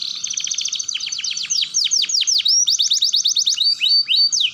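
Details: Canary roll song, played as a lure for young canaries learning to roll and twitter; rapid trills of sweeping high notes, shifting from fast rolls into slower downslurred whistles and rising buzzy phrases.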